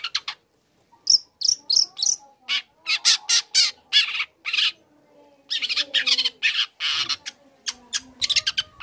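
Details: Young long-tailed shrike in active song, learning material to make other shrikes respond: high chirps give way to long strings of harsh, grating rasps and rapid chatter, with faint whistles underneath.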